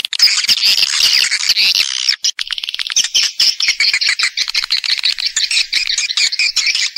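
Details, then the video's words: Swiftlet chorus played as a lure by Vietnamese swiftlet farmers to bring birds in to roost and nest; a dense burst of shrill twittering for two seconds, then rapid, clicky, repeated high chirps. "ÂM THANH CHIM YẾN HIỆU QUẢ NHẤT"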